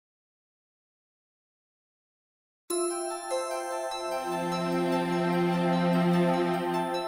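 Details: Nearly three seconds of silence give way to chiming, bell-like background music that holds steady to the end, with no animal voice heard.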